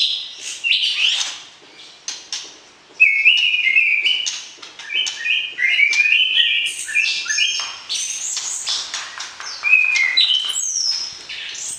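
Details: White-rumped shama singing to arouse the opposite sex ahead of breeding: starts with scattered notes, then a fast string of crisp whistled steps and chirps, repeated quickly and varied in pitch.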